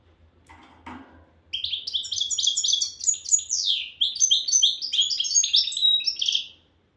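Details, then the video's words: A single long unbroken phrase of rapid, jangling, high-pitched twitters and trills lasting about five seconds, from a goldfinch of the Souk Ahras style in Algeria. It follows a brief soft rustle, with a faint low hum in the background. "غناء حسون سوق اهراس"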